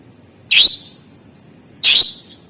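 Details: Greater green leafbird from a master recording meant to coax lazy birds into singing: two sharp, bright chip notes with a brief whistled tail, spaced over a second apart, high-pitched and clean against faint background hiss.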